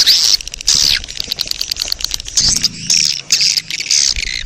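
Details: Swiftlets in a breeding colony, with the call used to attract the birds: bursts of shrill, buzzy twittering separated by brief pauses. A faint low hum sits underneath midway through.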